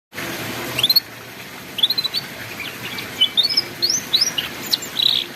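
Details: Canary song used as a master recording for young canaries learning to sing in the ngeriwik style: scattered high, thin whistled upslurs and chirps separated by pauses, over a steady background hiss.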